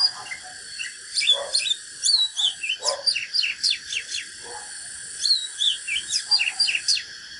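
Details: Oriental magpie-robin singing a natural fighting song to provoke other birds: two bursts of rapid whistled slurs and sharp descending strokes, with lower rasping notes in the gaps and a constant background whine.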